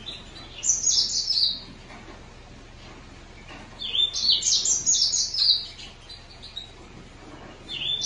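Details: Green singer finch singing high warbled phrases of rapid chirps and sweeping notes, two main bursts with a short pause, plus a brief note at the end.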